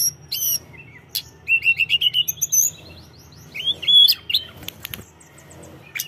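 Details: Tledekan gunung singing vigorously to provoke opponents: sparse high piercing notes, then a quick run of short rising chirps and a rapid ticking trill, followed by twisting upswept whistles and scattered sharp clicks, with a soft low hum behind.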